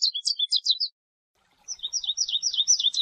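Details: American goldfinch singing in nature: a quick run of high, thin twittered notes, a pause of under a second, then a second jumbled burst of sweet chirps and slurred whistles. The background is otherwise silent.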